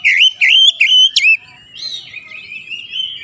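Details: Kacer, or Oriental magpie-robin, singing gacor and persistently unloading its repertoire. It opens with four loud upswept whistles in quick succession, then runs into a softer, drawn-out warbling trill.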